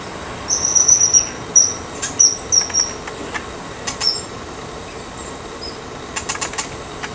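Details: Golden-crested myna (Ampeliceps coronatus), call.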